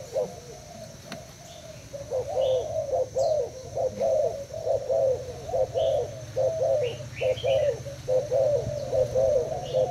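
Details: A caged Thai-line spotted dove answers a decoy bird in a cooing contest; after a quiet start, steady throaty coo phrases roll on rhythmically, with faint chirps from small birds and low hum.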